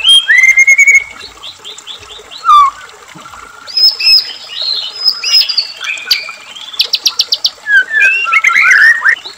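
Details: White-rumped shama singing as a bait recording for captive birds: rapid varied phrases mixing clear slurred whistles, fast trills and sharp chattering bursts, delivered energetically with short gaps.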